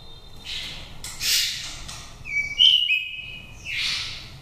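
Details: Oriental magpie-robin with a pure wild voice, a bird from Daklak, Vietnam, five seasons old, used as a lure for trapping or to stir other birds. Harsh raspy bursts lead into a long, clear, level whistle and a final buzzy phrase.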